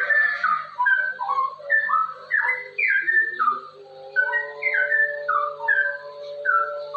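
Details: Cucak rowo, the straw-headed bulbul, in rolling 'ropel' song used to coax other birds into song. Fluty, mellow whistled notes fall and rise in chained phrases roughly twice a second, with a steady low hum in the background.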